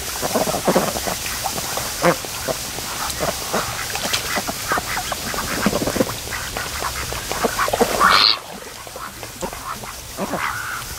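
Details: A flock of raised ducks relaxing at a lake in the afternoon sun, a steady stream of short nasal quacks and chatter, with a sudden louder burst before the sound drops away.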